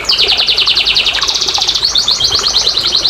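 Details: Canary song played to prompt lazy canaries to sing: a rapid rolling trill of high notes, shifting midway into a second quick, evenly repeated trill phrase, delivered without pause.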